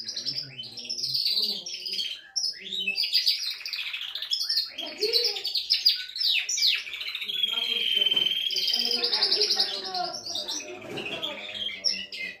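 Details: Canary singing to arouse a female for mating; a long continuous flow of high trills, bell-like notes and rolls, with softer lower twittering underneath.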